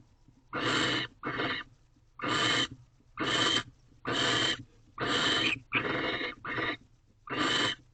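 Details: A male barn owl in a nest box at dawn on 19 March 2023 persists in offering a fresh rodent to the female. Eight breathy, hissing screeches arrive at roughly one-second intervals, some paired closely.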